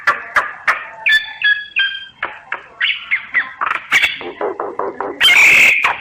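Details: Sáo nghệ, the common myna, in full song, captured with a voice recorder app: a quick series of varied notes mixing clear whistles, gurgles and chuckles about four per second, closing with a loud harsh rasping squawk.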